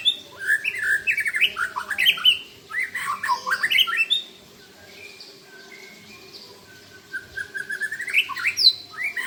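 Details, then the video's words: Rich, varied song of white-rumped shamas trading phrases: a burst of fast warbled and chattering notes, a pause with a soft rising whistle, then sharp high notes again. "Murai saling bongkar isian mewah"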